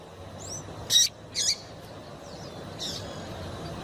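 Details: Female double-collared seedeater giving its stimulating call to a male: two quick, high, chirped notes in close succession, with a faint third note trailing later, over light background hiss.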